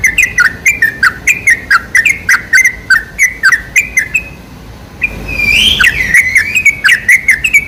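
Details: Sooty-headed bulbul song played as a lure: rapid repeated chirping notes, interrupted near the middle by a brief pause and a single rising, sweeping whistle before the quick chirps resume.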